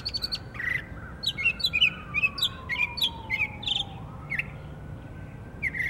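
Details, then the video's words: Savannah, Georgia mockingbird in October: quick bursts of sharp, bright notes and chatter, each phrase repeated a few times before switching, with a siren gliding downward and then jumping up behind. "Northern mockingbird singing oct 12 2024 savannah ga"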